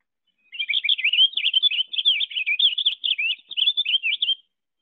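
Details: A Purple Finch, a Central Wisconsin backyard species, sings a rich, rapid warble of slurred, twisting notes, pouring out without a break for about four seconds; nothing else is heard.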